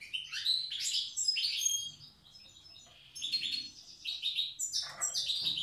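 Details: Old-style song of a wild goldfinch from Tiaret: rapid twittering phrases with short trills, a brief lull, then further jangling notes over faint low background noise.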